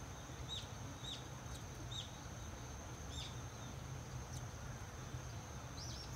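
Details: Six-day-old swallow chicks, six of them in a second-brood nest at the entrance of a countryside house, give high, short down-curving chirps about once a second, then a tight cluster of chirps at the end as a parent brings food; low steady hum throughout.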